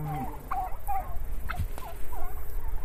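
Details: Live turkey heard through low rumbling background noise, giving short bent yelping notes and clucks spread across the recording, some notes rising then falling.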